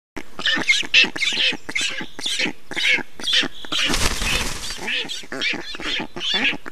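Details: Black storks at a nest in Estonia during feeding, 5 June 2019 at 10:54: rapid, harsh, raspy begging notes about two per second, with a loud broadband rushing burst near the middle.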